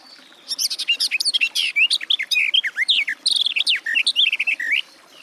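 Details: Sylvia borin, the garden warbler, in full song: a sustained, hurried, babbling warble of bright twittering and liquid notes lasting over four seconds before stopping.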